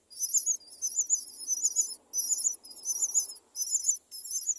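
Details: Myna nest with four young being raised: continuous very high, trilling, wavering calls in pulsed bursts about every 0.6 seconds, with a soft low murmur in the background.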